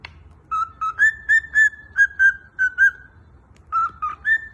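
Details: A cockatiel sings a learned "Picaboo" tune, whistling a series of clear, tuneful notes in quick phrases that rise slightly and then dip.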